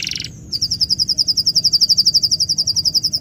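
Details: Bird chirping: a short buzzy burst, a pause, then a fast run of sharp high notes repeated about four times a second, loud and even over a faint low hum.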